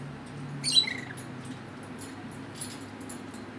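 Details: Fiesta, a female red lory, in bedtime talk gives one brief, high, downward-sliding meow-like call imitating a cat, then soft scratchy sounds over a low indoor hum.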